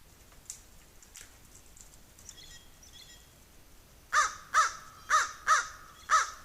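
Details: Crow making noise as a squirrel chases a raven; after a few seconds of quiet with faint background chirps, five loud harsh caws follow one another at roughly half-second intervals.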